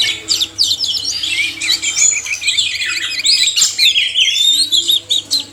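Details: Oriental magpie-robin male and female singing together, a recording meant to stimulate reluctant caged birds to sing; dense overlapping high whistles, trills and rapid chirps with sweeping slurred notes run continuously, with no pauses, and faint low hum beneath.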